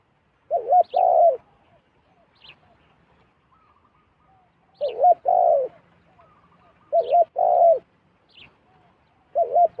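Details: Wild zebra dove flying down toward a decoy bird. It gives paired low cooing phrases, a short wavering note and then a longer rolling coo, repeated several times with pauses. Brief high faint chirps come from another bird.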